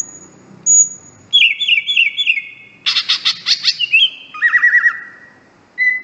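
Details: Greater green leafbird singing, a master recording to train birds: long high whistle, repeated chirped notes, a dense buzzy rattle, then a trilled whistled phrase and short high note.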